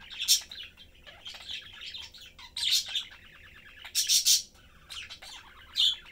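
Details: Budgie family of three, parents and chick, chatting and eating; busy twittering warble with bursts of loud, shrill squawking chirps.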